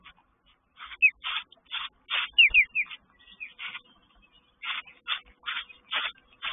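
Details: Mother sparrow at her nest with chicks, chirping aggressively in territorial defence when another sparrow comes too close. Harsh, buzzy chirps come in bursts with short gaps, alongside a few thin rising squeaks from the confused chicks.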